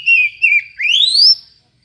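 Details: Oriental magpie-robin with an odd voice, meant to stimulate other magpie-robins: two short level whistles followed by a long, smoothly rising whistle that fades out.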